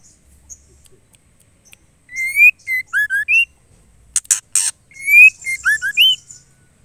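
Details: Female white-rumped shama calling the male: a rising whistled note, a short flat whistle, two lower slurred notes and a rising end note, sung twice, with sharp harsh chack-like bursts between the phrases.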